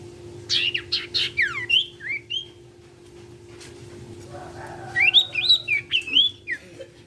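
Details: Sirtu in energetic song, used to encourage other sirtu birds to sing; quick clipped notes then curving whistled phrases, silence, and a second string of bright rising and falling whistles over a constant hum.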